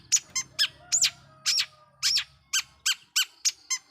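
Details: Long-tailed shrike song used as a lure to provoke rival shrikes: harsh, scratchy squeaks and short buzzy bursts, delivered irregularly about three times a second.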